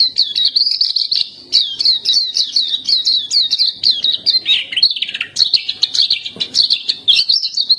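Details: Unbroken high warbling from a black-capped white-eye (pleci dahi hitam), performed as steady 'gacor' tutor song: quick repeated twittery phrases, one dipping slide in the middle, then more rapid chirping.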